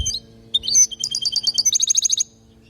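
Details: European goldfinch from Palestine, recorded as teaching song for young birds: a brief phrase of thin high chirps and twitters, then a fast even trill of about a dozen bright notes, against a faint steady hum.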